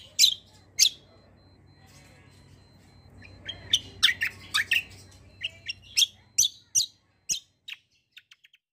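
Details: Greater green leafbird singing in the long 'roll panjang' style, said to reply to any kecial kombo: two loud piercing notes, a pause, then a rapid string of sharp chirps ending in tiny faint ticks.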